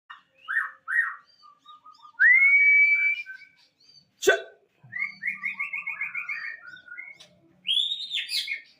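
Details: Moulting white-rumped shama with a 22 cm tail singing: clear whistled phrases, a long sustained rising whistle, one sharp click, then a fast run of rippling repeated notes and a final buzzy upslurred phrase.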